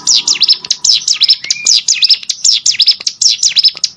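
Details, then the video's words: Mountain prinia, known as cigun, singing as training audio for contest birds: quick repeated high chirps sweeping down and up, with one short steady whistle partway through. "CIGUN ATAU PRENJAK GUNUNG!!! MASTERAN UNTUK BURUNG LOMBA"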